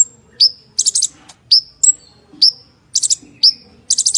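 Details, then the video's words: Energetic purple-throated sunbird (kolibri ninja) song alternating high downslurred whistles with short runs of buzzy rapid pulses, repeating this pairing roughly every second. "KONIN GACOR FULL ISIAN MATERI MEWAH - TEMBAKAN KASAR"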